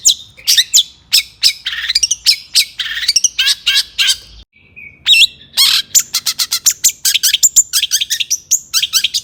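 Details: Aggressive, lively long-tailed shrike song for provoking rival shrikes, a long varied stream of scratchy phrases and slurred whistles, a short steady whistle after a brief break, then a fast rattling series of sharp clicks and chirps.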